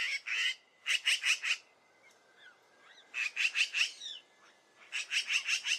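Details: Repeated harsh chattering from a magpie: several short bursts of four to six grating, scratchy notes, with soft quieter calls between the bursts and a steady faint background tone.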